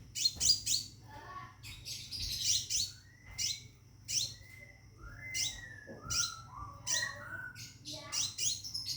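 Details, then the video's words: Caged scarlet minivet calling to attract a mate: repeated sharp descending chirps, often paired, with soft lower whistled notes between them and a faint murmur of voices in the background. "Burung Seppah Raja Gacor Di Dalam Sangkar panggil betin kawin"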